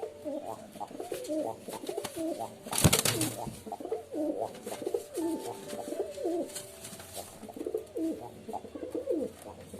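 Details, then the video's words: Pigeon coos: low, bubbling, arched phrases repeated throughout from several birds. A brief loud rustle or clatter breaks in near the third second. "Pigeon Sound Effect 🦅 Pigeon Sound 🦅 কবুতরের ডাক"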